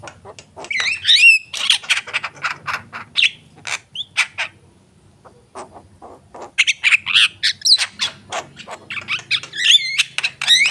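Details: Javan myna in full song: dense bursts of harsh chattering notes, clicks and twisting whistles, pausing for about two seconds midway, then resuming with rapid squawks and looping whistled phrases.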